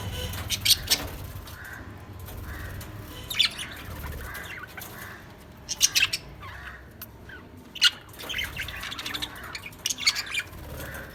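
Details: Lovebirds chirping: bursts of harsh, high squeaky chirps recurring every one to two seconds, with soft rustling and faint background noise between them.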